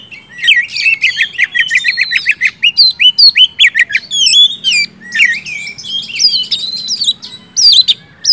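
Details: Oriental magpie-robin in full, loud song, played to stimulate silent birds to sing: rapid varied whistles and harsh squawky notes, a run of repeated rising chirps early on, then sharp downslurred and buzzy phrases in quick succession.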